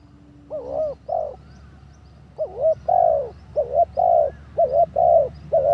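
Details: Spotted dove decoy bird on its third training session, its behaviour much improved, giving low mellow coos in paired and triple groupings. Short phrases follow a two-second pause, over faint steady background hum.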